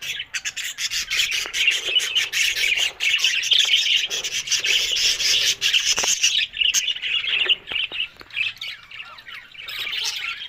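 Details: A group of budgerigars on October 1 keep up a dense mix of fast chirps, clicks and harsh squawks that stays loud for the first six seconds, then breaks into looser, more spaced calls.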